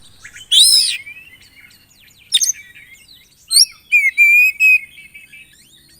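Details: Oriental magpie-robin, kacer in gacor isian song: a loud rasping sweep, scattered clicks and chirps, then a sequence of three clear sustained whistles.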